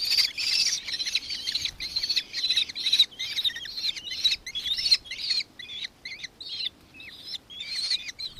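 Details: Nankeen kestrel recorded in Victoria, Australia, on 4 December 2024: rapid shrill chattering notes, roughly two per second, with bright harmonics, bursts fading toward the end into sparser separate calls.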